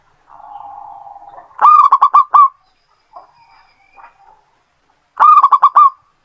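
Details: Local Indonesian zebra dove (perkutut) singing, kept as a lure for other birds: a low buzzy churring note, then a loud burst of about six sharp stacked cooing notes, faint short notes, then another loud rapid burst.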